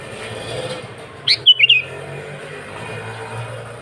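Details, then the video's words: Pure, lively sooty-headed bulbul song meant as a lure for wild kutilang: one short burst of four quick, gurgling whistled notes stepping slightly down, set against a steady low rumble, perhaps traffic. "Suara Burung KUTILANG GACOR AsliTanpa ISIAN"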